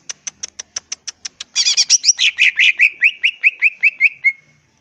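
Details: Greater green leafbird in energetic full song: a steady series of sharp high ticks, then a burst of harsh chattering that settles into a fast, even run of repeated downslurred whistled notes fading at the end.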